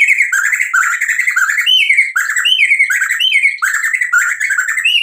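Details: White-rumped shama pouring out nonstop isian song, a fast chattering stream of warbled notes broken by short rising whistles that repeat every second or so.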